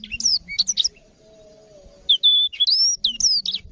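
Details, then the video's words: Black-throated canary, tutor recording for canaries: brief high sweeping chirps, a pause with a faint held tone, then clear flat whistles and rising-falling notes. "BLACKTHROAT GACOR suara Jernih cocok banget untuk masteran kenari"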